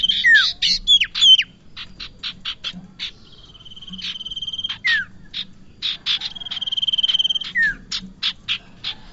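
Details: Bar-winged prinia calls used as a trapping lure: rapid buzzy chattering bursts in quick series, a few downward-swept notes, and a steady high whistled tone running beneath.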